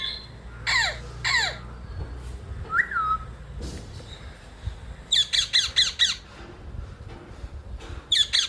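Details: Rose-ringed (Indian ringneck) parakeet at a terrace in Sahakarnagar, Pune, giving harsh, grating squawks: two single screeches, a downslurred note, then a fast run of five shrill shrieks and one more near the end; faint low hum underneath.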